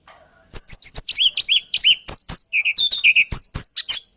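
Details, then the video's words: Lilting song of the hill blue flycatcher (tledekan gunung) from Java and Kalimantan: a continuous run of high, sweet, varied notes, quick chirps mixed with short slurred whistles, over about three and a half seconds. "TLEDEKAN GUNUNG KICAU MERDU"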